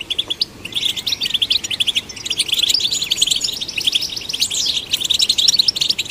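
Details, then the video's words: Continuous twittering song of a European goldfinch, meant to stimulate goldfinches. It has rapid, high, clipped chirps strung into busy phrases, with short liquid slurs and a downward-sweeping whistle partway through. "Golden Songbird vocal performance to stimulate the goldfinch"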